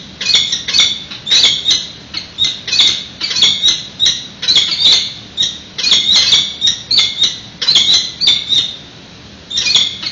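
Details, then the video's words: Peregrine falcons at a nest webcam in San Francisco on 25 March 2018, during prey delivery while an egg is unhatched: loud harsh squawking calls, rapid bursts repeated about every half second almost without pause. "food delivery; SCPBRG Falcons: SF PG&E peregrines"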